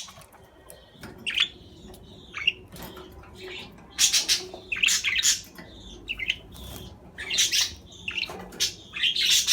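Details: Budgerigar warbling in a busy stream of quick chirps, squeaks and harsh scratchy notes, coming in bursts that grow louder and denser over the second half.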